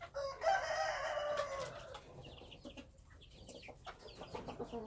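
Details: Wild chicken crowing: one drawn-out, harmonic-rich crow lasting about two seconds that falls slightly in pitch, followed by quieter clucks and small bird chirps in the background.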